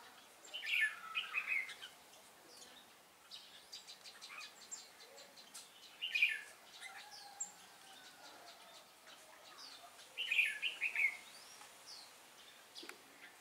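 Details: Red-whiskered bulbul decoy singing a fighting song during trapping, 10/12/2016; three bright warbled phrases spaced a few seconds apart, with faint chirps and clicks from other birds in between.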